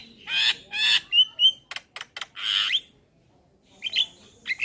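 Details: Male Javan myna calling to companions, suitable as a lure: two loud harsh squawks, a pair of short whistles, sharp clicks and a long rasping screech, followed by softer nasal notes after a pause.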